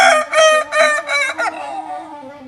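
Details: Kokok balenggek rooster from Solok, West Sumatra, giving the "Sigayuang luluah" crow: four loud, rapid, stepped syllables, then a trailing, fading drawn-out note.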